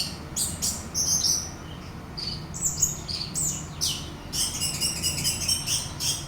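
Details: Orange-headed thrush used as a song lure for another bird: rich, changing phrases of thin whistles, buzzes and chattering bursts delivered in quick succession with short gaps.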